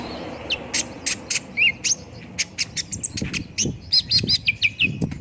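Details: High twittering from an olive-backed sunbird, used as a lure to prompt a bird to sing fast. Sharp clicks and chirps are followed by a quick run of repeated looping whistled notes near the end.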